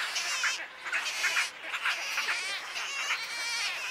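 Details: At Wakodahatchee Wetland in Florida, wood stork chicks beg with harsh, quavering nasal calls in overlapping surges about once a second.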